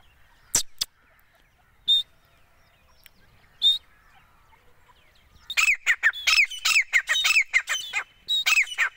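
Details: Calling female grey francolin (gora teeter) under hand training. A few isolated sharp notes and clicks come first, then dense bursts of harsh, rising, repeated calls fill the second half.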